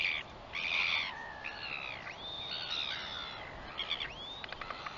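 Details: Northern royal albatross on 21 September 2021 gives harsh, buzzy brays, then drawn-out slurred whistles that rise and fall, ending in a quick run of sharp clicks.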